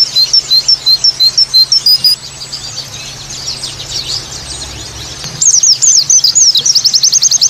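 A white-eye sings very high, thin chirps in quick bursts, followed by a softer jumbled warble and then a loud, rapid trilled volley. A faint low hum sits underneath.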